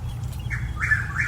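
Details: Chuck-will's-widow singing loudly in a St. Petersburg, Pinellas County, Florida neighborhood, in the middle of the night or early morning. Its rolling whistled song is a quick low note, then rising and falling slurred phrases, over a steady low rumble.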